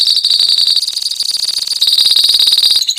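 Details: Continuous ngekek song from a lovebird colony: a piercing, fast-pulsed trill held steadily for three seconds, slightly rising in loudness near the end.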